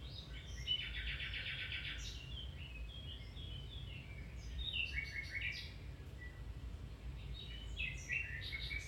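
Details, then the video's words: Domestic canary song meant for training a canary to sing again or improve its song: a fast, even trill rolls for about a second, followed by varied chirps, warbles and quick notes, over constant low rumbling noise. "Canary Singing"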